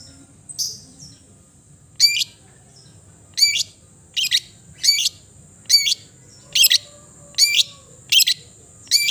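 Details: Long-tailed shrike (cendet) giving about ten short, harsh, buzzy bursts spaced roughly a second apart, high-pitched and scratchy, with a low steady hum behind.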